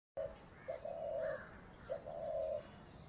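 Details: Spotted dove giving low, soft coos in two phrases, each a brief note followed by a longer drawn-out coo, over faint background hiss.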